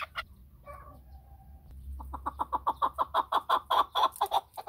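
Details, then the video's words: Chukar partridge: after a short thin note and a pause, a fast run of harsh rhythmic chuk notes begins and builds in strength to the end. "chakor ki awaz //چکور کی اواز"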